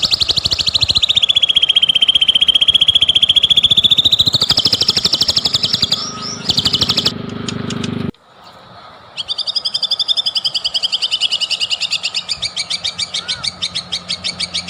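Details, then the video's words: White-rumped shama song played as a singing lure: a long, loud, high buzzing trill held for several seconds, then a brief break and another fast, rattling trill, with some low rumble. "PANCINGAN MURAI BATU,SUPER GACOR"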